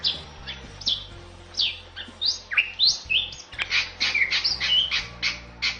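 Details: Bali myna masteran song: fast, varied phrases of falling and rising whistles mixed with rough chirps, delivered in a lively, uneven stream.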